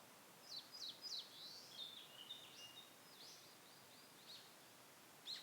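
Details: Ashy minivet in a familiar satoyama landscape calling with a quick series of high, sharp, jangling notes, fading toward the end, against soft outdoor noise.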